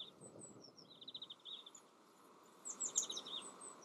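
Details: Yellowhammer singing in the Eifel, Germany: a faint, quick run of repeated high, thin notes, a short pause, then a second rapid burst of similar notes over a soft background hiss.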